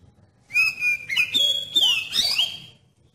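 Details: Oriental magpie-robin song used as a lure to get other magpie-robins singing: after a short quiet start, one phrase of a steady whistle, a higher held note and tumbling, sweeping slurs fading out.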